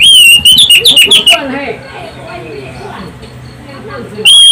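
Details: Orange-headed thrush singing loudly as a lure for other birds: a fast burst of piercing whistled notes, each rising then dropping, followed by quiet faint chatter and one more sharp whistle at the end.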